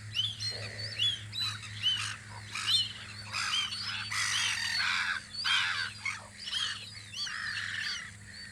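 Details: Several gulls at their spring guard post on Audru polder give harsh, arched squeals and bursts of noisy screeching, irregularly spaced, over a constant low droning hum.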